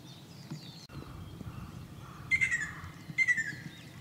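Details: Ruddy kingfisher song from Shizuoka Prefecture, Japan, 2 June 2024, where several birds shared a wide area: two short descending whistled phrases about a second apart over soft background and faint high calls of other birds.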